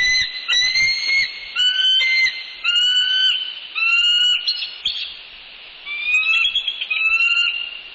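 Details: Bald eagles at a nest in northeast Florida, 6 pm, 20 January 2019, while an unfamiliar mature adult visits; a steady run of high whistled notes with gliding pitch, some overlapping, continuing for eight seconds.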